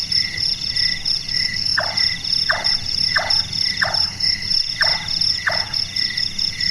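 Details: A night-active large-tailed nightjar (burung tukang) gives a run of six hollow, woodwork-like knocks, evenly spaced and slightly falling, against a constant wash of insect chirring.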